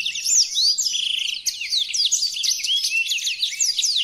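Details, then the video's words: Original blackthroat song used as a training model for other birds: a rich, rapid warble of sweeping whistled notes, short trills and twitters packed closely together, high-pitched and unbroken. "Burung Blackthroat Original untuk Pemasteran"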